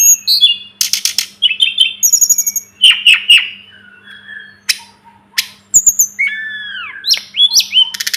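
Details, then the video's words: Sunda robin song from a tutor recording: clusters of sharp clicks and high chirps, a descending run of rattling notes, then slower clear whistled slurs with short gaps, a faint low hum throughout. "Masteran burung tledekan gunung || burung sulingan gunung"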